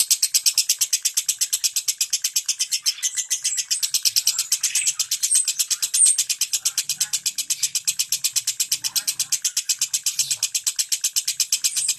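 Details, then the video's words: 'Ngentik' lovebird song, meant to coax mute lovebirds into singing: an unbroken, very fast stream of shrill, buzzy chirps at an even pace for the whole stretch, with faint low murmurs underneath. "Suara Lovebird NGENTIK Rapat"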